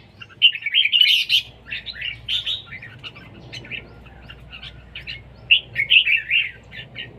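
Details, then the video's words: Red-whiskered bulbul singing in a competition: two bursts of quick, bubbly warbled notes, the first ending in a loud flurry, the second a chattering run after a quiet pause. "chào mào đấu siêng ché"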